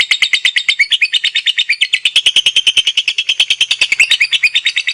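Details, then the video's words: Competition lovebird in active chattering song: a fast, steady stream of harsh chirping notes, about ten per second for the whole stretch, rasping and high, with no other sounds. "LOVEBIRD NGEKEK DAN NGETIK AKTIF"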